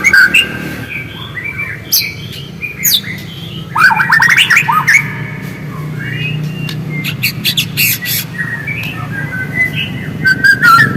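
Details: White-rumped shama song offered as a lure to get other shamas singing: varied whistles and chirps broken by sharp clicking notes, with a steady low hum underneath.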